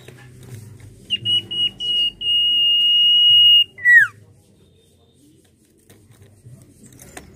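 A Common Iora whistles a few short notes, then holds a long, pure, steady whistle for over a second before a quick falling slur, with faint indoor background hum.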